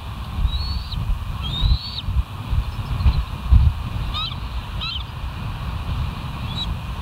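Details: Bald eagles at the West End live nest cam, 18 August 2023 at 06:50: a few thin, high whistled notes, some drawn out and rising, others short and sharp, scattered over steady low rumbling background noise.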